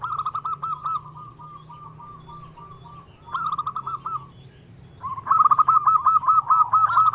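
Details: Local wild-type zebra doves used as a lure for caged doves: a long, even string of soft repeated coos, a brief louder burst, then a strong fast run of staccato notes, with a steady low hum throughout.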